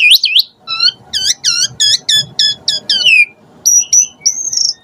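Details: Asian pied starling singing hard as a provoking lure full of filler phrases: a quick series of repeated looping whistles, ending in higher, level whistled notes.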